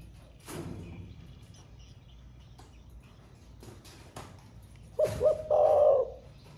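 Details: Caged spotted dove singing in the thổ pha manner, said to call all day: after several seconds of soft clicks and knocks, one low phrase of two short notes and a drawn-out coo.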